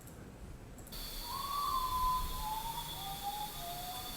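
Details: Common potoo (Nyctibius griseus) song: a faint, mournful whistled phrase sliding down in pitch over a few seconds, said to sound like "ay, ay, mama", with steady high insect-like tones and hiss behind.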